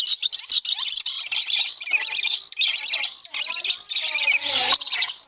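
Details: A pair of lories playing and excited as the female urges the male to bite a hand, squawking and screeching almost without pause, harsh and high, with several overlapping calls and a faint voice behind.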